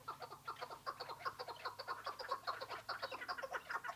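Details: Chukar partridge (Alectoris chukar) giving a rapid, harsh clucking series, several chuck notes each second, overlapping and uneven, over a faint low hum.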